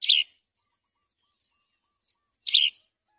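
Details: A house sparrow busy feeding babies with caterpillars gives a pair of sharp, buzzy chirps, one at the start and one two and a half seconds later, in an otherwise quiet setting.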